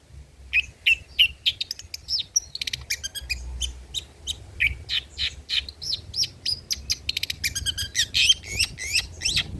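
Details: Long-tailed shrike song with rich old-style material intended to lure and tutor birds: a rapid, rhythmic run of sharp chirps and harsh notes, about three per second, mixed with whistled slurs.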